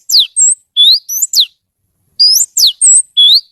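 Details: Oriental magpie-robin singing clear whistles: downward-sweeping notes, a level high note and rising slurs, in two short bursts separated by about a second of silence.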